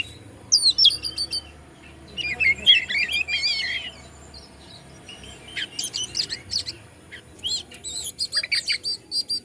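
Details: Oriental magpie-robin (kacer) from Bandung, Indonesia, singing to provoke other birds: scattered bursts of high, rapid chirps and short trills with quiet gaps between.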